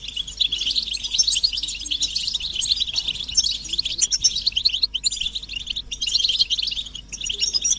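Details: European goldfinch group twittering, played to push a quiet male into song: a long, dense run of high, liquid chirps and fluttery trills with little break.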